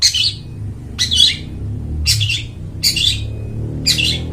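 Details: Long-tailed shrike with a loud, clear voice described as suited to luring wild birds in the forest: harsh, grating squawks repeated roughly once a second over a steady low hum.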